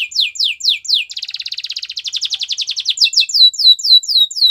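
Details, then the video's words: Training song of a Belgian canary: steeply falling swept notes, a fast dense rolling trill in the middle, then more falling swept notes repeated about four times a second. "Listen to this and your belgian canary will sing a lot !! Canary's training song"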